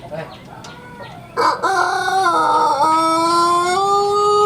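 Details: A young Pelung rooster sunning in Sukabumi regency launches a loud crow that starts rough, then settles into a long, smooth, gently rising note still going at the end.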